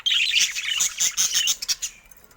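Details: A caged budgerigar flock pressing against a camera, giving a loud burst of harsh squawky chatter that trails off into a few separate chirps.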